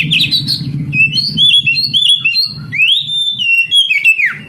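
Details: Song of an oriental magpie-robin played to encourage lazy young canaries to sing. Clear whistled notes and a long rising-then-falling slur over steady low rumbling and knocking in the background.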